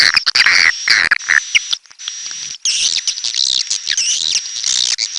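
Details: Swiftlets giving high chirps that turn into a busier, warbling twitter in the second half, with clicks and a faint steady high tone.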